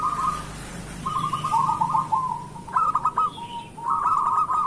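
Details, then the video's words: Local zebra dove in full voice, played as a morning lure for lazy zebra doves: nearly continuous purring, trilled coos running into one another over a low background hum. "Perkutut lokal gacor pancingan untuk pagi hari"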